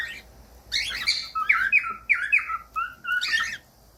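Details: Cockatiel song used to teach pet cockatiels to sing: a short burst of squawky notes, then a string of clear whistled phrases, some sliding down, ending in a rough chirp, indoors.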